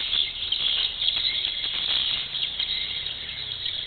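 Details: Swiftlets at a bird house in Malacca: a dense, continuous wash of high, thin chirps and twitters from many birds overlapping, with no pauses and a steady hiss underneath.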